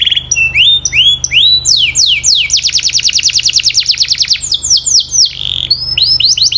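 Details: Domestic canary singing a training song for keepers: high, clear notes in quick swept and looping upslurs, then a fast, even rattling trill of repeated notes, then more rising whistled phrases; faint low hum beneath.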